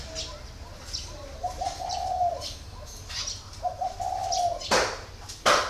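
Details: Spotted dove, caged for four years, utters two low cooing phrases with short lead notes, followed by loud sharp clattering knocks near the end. Small birds chirp faintly behind.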